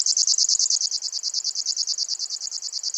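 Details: High insect-like reel of a grasshopper warbler (Locustella), evenly pulsed at roughly eleven beats per second, loudest at the start then steady, with no other birds or noise heard.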